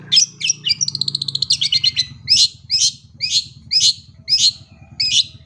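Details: Long-tailed shrike song played for young birds: rapid trilled chatter, then a steady series of sharp downslurred whistles about two per second, over a low background hum.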